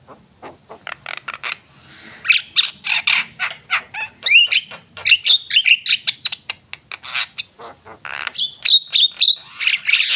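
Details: Long, vigorous Javan myna song: rapid clicking and ticking throughout, overlaid with scratchy squawks and rising whistled slurs, building into a dense chattering sequence.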